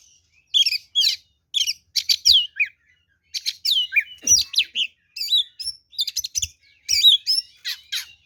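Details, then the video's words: Oriental magpie-robin performing 'ngeplong' fighting song used to provoke rival birds: dense volley of whistled slurs and rough chatter in quick phrases, with one brief pause near the middle. "SUARA BURUNG kacer gacor NGEPLONG TARUNG"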